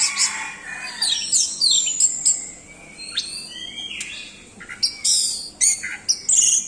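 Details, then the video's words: An Orange-headed thrush in full, vigorous song, a rich varied stream of high whistles, sweeping slurs and chattering phrases delivered in quick bursts with brief pauses. "Anis merah doyong teler"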